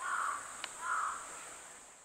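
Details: Crow harassing a young goshawk feeding on a tree branch, 6 July 2022, no background music: two harsh, flat caws half a second apart with a sharp click between, steady high insect hiss behind.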